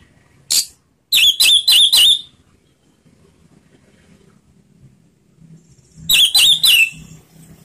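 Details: Orange-headed thrush singing slow ngeplong as a stimulus for quiet birds: a single note, then four quick ringing whistles, a five-second gap, and a matching three-note whistled phrase.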